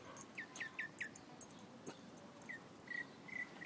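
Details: Bird song of clear, falling whistled notes, first a rapid group of four, then slower single notes after a pause, over quiet background hiss.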